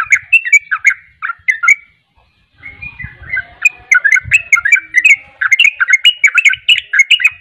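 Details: Captive sooty-headed bulbul in a rapid, persistent ropel-style song: quick slurred chirps and warbling notes, a short silent gap, then a long unbroken stream of lively twittering phrases. Faint low thumps come through in the pause.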